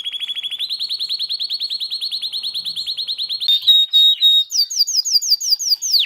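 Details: Master song for tutoring contest birds: a long, fast, even trill of high repeated notes that rises slightly, then a piercing steady note, ending in a quick series of sharp, downslurred whistled notes.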